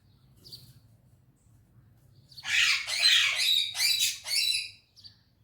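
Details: Talking parrot in a cheerful mood, said to speak Urdu and Hindi, starts after near silence with a loud, harsh squawking sequence of four pulsing bursts, followed by one faint short note.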